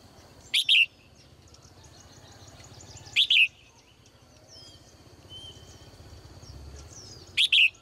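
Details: Female bird kept in a cage calls in the morning with short paired high chirps about every three seconds, over constant noise and faint thin whistles from other birds.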